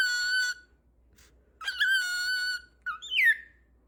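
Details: Cockatiel giving clear whistled notes indoors: a steady held whistle, a pause, a longer whistle that rises then levels, then a short twisting falling phrase, in a quiet room.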